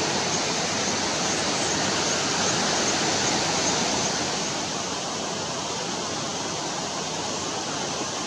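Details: Steady roar of a waterfall or fast stream in the wild fills the whole recording, loud and unbroken, with no animal voice standing out.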